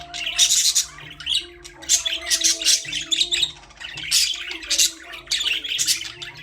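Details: Budgerigars in a birdcage give rapid, scratchy chirps and shrill squawks in clustered bursts with hardly a pause, a faint tonal hum running underneath.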